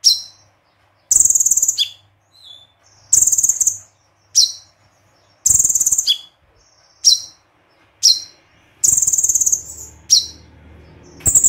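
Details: Konin (olive-backed sunbird) in 'tembakan' song style, bursting repeatedly with shrill, fast trilled phrases roughly every second, mixed with short downslurred chips and brief high whistles; faint low hum underneath.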